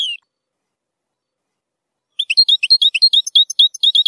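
A European goldfinch sings a fast, tinkling run of high twittering notes, about three per second, after a single brief chirp and a pause.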